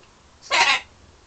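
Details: Pet parrot indoors in London, flirting with its mirror image and with birds outside the window; a single short harsh, rasping squawk lasting about a third of a second, with a quiet room around it.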